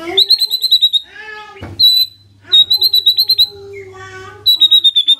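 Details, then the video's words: White-rumped shama song used as a lure: repeated bursts of rapid ringing trills with tonal notes and a sharp click between phrases. "PANCINGAN SANTAI & EFEKTIF❗❗ murai DIAM langsung respon NYAUT❗❗"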